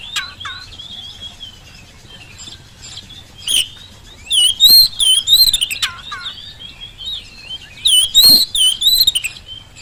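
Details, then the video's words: Oriental magpie-robin in full song, played as a lure to get reluctant magpie-robins answering at home or in the field; varied whistled phrases with slurred up-and-down notes, buzzy bursts and a few falling whistles, quiet at first then livelier. "kacer gacor pancingan kacer malas bunyi saat di rumah maupun di lapangan jadi cepat nyaut"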